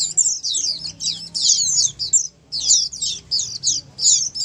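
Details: Flock chorus of Oriental white-eyes for prompting silent pet birds to respond; bright, high-pitched twittering phrases in clumps, one clear pause midway, then renewed bursts.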